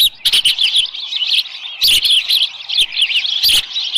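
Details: Osprey nest at Dunrovin Ranch, 13 July 2018, near 7:10 AM, a small live fish brought in: insistent high squealing chirps, loud and continuous, with several sharp knocks and rustling wing-like bursts.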